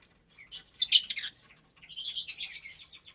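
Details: Lovebirds at meal time in a breeding aviary of about 25 birds, parblue, euwing, opaline, lutino and albino types, January 2023; loud shrill squeaky bursts followed by a rapid run of high twittering chatter.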